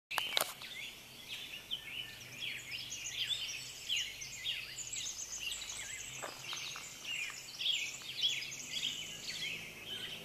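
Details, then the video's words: Many wild birds in full dawn chorus at 5:15 am on 9 July 2012 in Monroe, Washington; dense overlapping chirps, trills and whistled notes from several species, loud and continuous, with a few sharp clicks near the start. "Birds Chorus"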